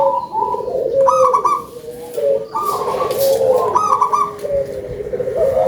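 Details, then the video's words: Actively singing local zebra dove with a full voice; repeated phrases of quick staccato coos running into low purring trills, about every second and a half. "GACOR!!! PERKUTUT LOKAL SUARA BESAR"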